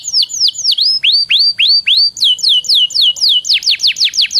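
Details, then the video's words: Canary song used to stimulate other canaries to sing: a steady series of high, clear, downward-sweeping whistled notes repeated about three to four times per second. "PANCINGAN KENARI BIAR CEPAT GACOR"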